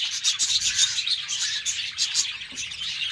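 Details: Budgerigars kept in a cage, heard in the morning, trading fast raspy chirps and scratchy warbled notes in quick irregular bursts, several birds at once.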